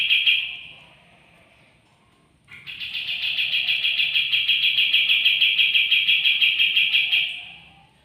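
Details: Bulk-bought wild white-eye, two days at home and beginning to sing, ends one trill, pauses, then gives a long, even, high-pitched trill of quickly repeated notes lasting about five seconds before fading.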